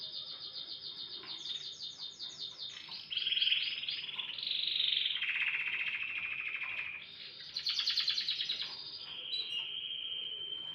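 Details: Canary in morning song, delivering a varied series of trilled tours: rapid pulsed rolls shifting between higher and lower pitches, some buzzy, others clear, changing every second or two without pause.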